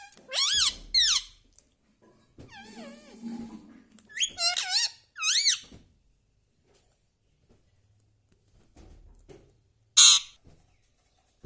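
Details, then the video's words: Talking parrot kept as a pet indoors, repeating mummy, papa and radhe radhe; paired piercing warbled syllables, a lower murmuring stretch, another pair of high utterances, then a sharp single squeak after a lull. "parrot talking mummy ||papa bolne vala Mithu ||radhe vala Mithu"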